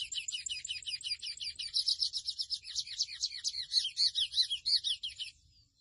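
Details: Mochuelo, or blue silver-beak (chestnut-bellied seed finch), song meant for teaching caged birds: a long, loud, high series of rapid repeated chirps that shift through several note types, gaining strength midway and fading out near the end.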